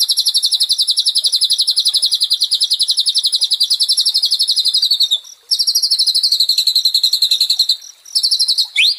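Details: White-rumped shama song played as therapy for a stressed caged bird: long rapid trill of repeated high notes, then broken phrases of fast buzzy notes with brief pauses.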